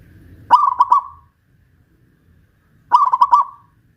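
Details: A caged local zebra dove of the Pajajaran type from Kuningan, West Java, sings steadily while hoisted on a pole: two rolling, mellow, trilled coo phrases under a second long, about two and a half seconds apart.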